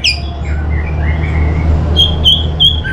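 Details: Orange-headed thrush, lure song: a few soft gliding whistles, then three or four sharp, bright repeated notes near the end, with a constant low droning hum behind.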